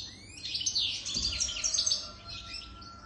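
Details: European goldfinch older than three years giving a short, bright burst of tinkling twitters and quick trills that fades out after about two seconds, with a faint low thud near the start.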